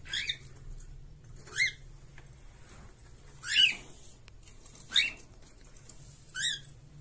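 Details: Cockatiels, a pair kept in a cage, utter short, sharp chirps and squeaky upswept notes, five separate bursts spaced over seven seconds, against a quiet humming room.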